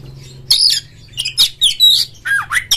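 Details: Oriental magpie-robin lure song meant to provoke a rival kept bird into singing and tail fanning; harsh rasping bursts mixed with sharp whistled slurs, several quick phrases over a faint low hum.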